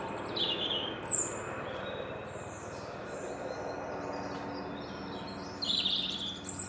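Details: European robin singing high, thin, warbling phrases at the start and again near the end, over the drone of a low helicopter flying directly overhead and growing louder.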